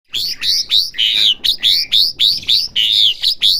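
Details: Asian pied starling being trained to learn sounds, giving a loud run of high buzzy, slurred whistled notes repeated about twice a second with short gaps, some notes bending downward, no other clear sounds.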